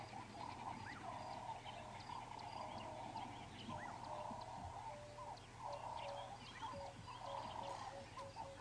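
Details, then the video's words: Several doves coo in overlapping, hollow, mid-pitched phrases almost without a break, a mainstay of the dawn chorus on an April 20, 2016 sunrise safari drive; thin high chirps from other birds and a low hum behind. "Yeah, you can hear the doves really starting to give it stick now."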